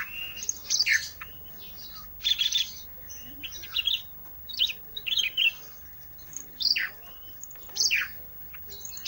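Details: Olive-backed tailorbird singing vigorously, used as a filler song: bursts of high, sharp chirps and short descending buzzy notes in irregular clusters, spaced by brief pauses, over a faint low hum.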